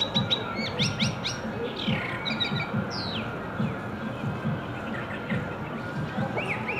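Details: Blackbird singing in Shanghai in March 2015, spring: scattered fluty, whistled phrases and quick high chirps with some rising notes, over a steady low rumble of background noise.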